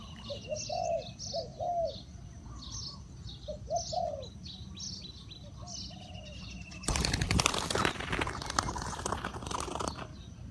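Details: Spotted dove kept as a decoy for luring wild birds, cooing in short low phrases during the first half, a quick pair of notes then a longer coo, before loud flapping and rustling noise takes over; distant chirps throughout.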